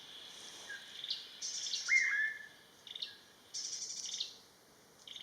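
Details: Buff-throated babbler from Vietnam giving a clear whistled note that starts high and slides downward, with a softer note before it and steady buzzing insects throughout.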